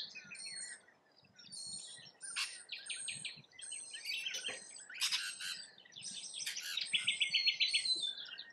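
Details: Rainbow lorikeets in Australia chatter while feeding. Piercing shrieks and squeaky notes crowd together, ending in a quick series of buzzy, evenly spaced pulses.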